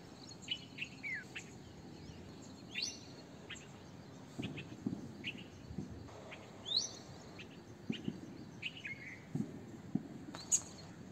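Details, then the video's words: Red-vented bulbul giving short scattered chirps and quick upward-swept whistled notes, some sliding downward, spread through the clip over a low rumbling background. "Red Vented bulbul - Bulbul - Indian Bulbul"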